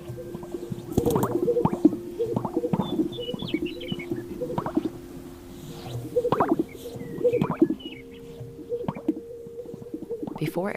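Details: Pre-dawn lek of Greater Sage-Grouse, with males sparring over patches of dance-floor territory; repeated low popping, gulping notes and soft coos in rhythmic bursts, with a few faint high whistled chirps.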